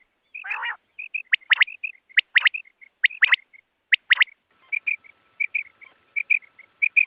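Quail calling: sharp, ringing notes repeated about every half second, mixed with short high chirps and one harsh burst near the start.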